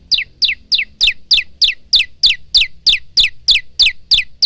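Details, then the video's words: A male bar-winged prinia in energetic full song repeats a sharp, high, downslurred note about three times a second in a steady, insistent series. "masteran handal burung prenjak lumut"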